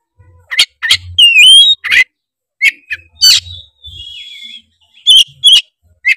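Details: Oriental magpie-robin from Tretes in loud provoking song: sharp chirps, a bright rising-then-falling whistled phrase with overtones, a drawn-out wavering whistle, and closing crisp clicks.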